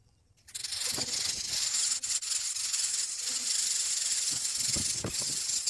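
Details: Greater coucal chicks, very hungry, beg for food with a steady, harsh, snake-like hiss that runs unbroken for about five seconds, with a few soft low thumps beneath.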